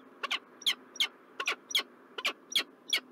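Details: Peregrine falcon from a pair recorded in Montreal, Canada, 4 November 2023, giving harsh, scratchy double notes repeated roughly every third of a second in a steady chattering run, with a low background hum.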